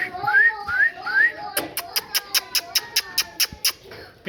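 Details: Three quick upward-sliding parrot whistles open, followed by a steady run of sharp clicks about five per second to the end.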